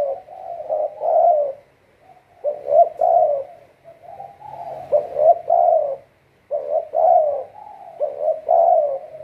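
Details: Spotted dove used as a trapping decoy gives repeated husky cooing phrases, two or three notes bunched together then a brief gap, the pattern cycling steadily.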